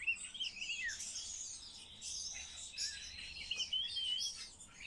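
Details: Common starling being trained to talk: high crackling chatter over a thin sustained whistle, with a downward-sliding whistle near the start and rising whistled twists later.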